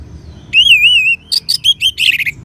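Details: Orange-headed thrush in song, opening with a long, warbling, wavering whistle lasting about half a second, then breaking into a rapid jumble of short, bright, high notes and trills. Low background rumble throughout.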